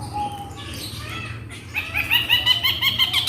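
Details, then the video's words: Long-tailed shrike from Java singing a song packed with imitations of other birds. After a quiet start, a run of bright, stacked, rapidly repeated notes begins, set against a low background hum. "CENDET INI MUNTAHKAN TENGKEK BUTO KUNTILANAK GREJA NYERET PETIR KW PANJANG2 DAN DIULANG2"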